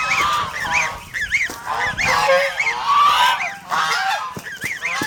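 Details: Guarding flock of domestic farm geese in the Philippines honking rapidly, about one call per second, with short up-and-down inflected honks stacked over a continuous harsh background clamour.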